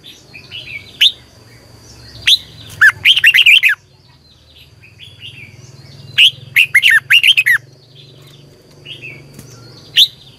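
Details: Red-whiskered bulbul singing for morning training of captive bulbuls. Two loud, bubbling, warbled phrases several seconds apart, with isolated sharp whistled notes before and after them and a faint low hum throughout.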